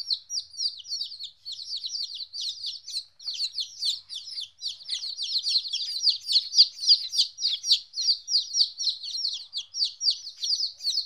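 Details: Chicks 14 days old, separated from their mother for the first time, chirp continuously in a dense overlapping chorus of short, high, downward-slurred peeps, several per second, with no other sounds.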